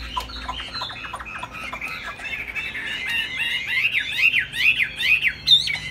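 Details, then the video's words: Laughingthrush kept in a cage sings high with tail flapping: harsh squawky chatter first, then clear whistles swooping down and up in repeated V-shaped slurs that grow louder toward the end. "Hót cao cầu đập đuôi khướu"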